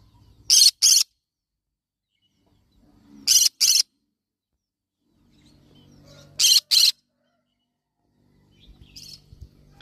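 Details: Yellow-sided conure parrot repeating paired harsh, scratchy screeches roughly every three seconds, three pairs in all, with a fainter call at the end and soft background rumble.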